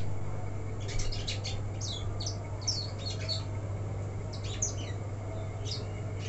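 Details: Caged black-throated canary, a young untrained bird left without its cage cover, giving a loose twittering song of bright, high chirps and short trilled phrases in bursts, with gaps between, over a steady low electrical hum; a man speaks briefly beforehand.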